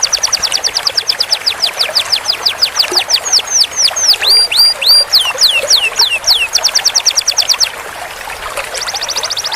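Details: Canary master song for teaching a young bird long rolls: fast rattling trill, then a run of repeated swooping whistled notes that rise and fall, ending in another rapid high trill.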